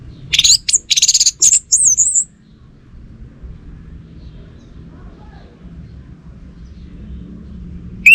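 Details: Very high, thin twittering phrase from an orange-headed thrush kept in captivity, a few seconds of quick squeaky notes followed by long quiet with low rumble, then a sudden rising whistle at the end.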